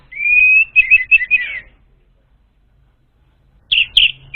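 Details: Orange-headed thrush song used to lure an untrained bird: a long even whistle running into quick warbled notes, silence, then two sharp chirps.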